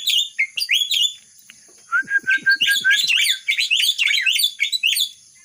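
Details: A myna imitating a red-whiskered bulbul, giving quick upswept chirps, a short series of clear level whistled notes, then a dense jumble of rising and falling chirpy phrases repeated without pause.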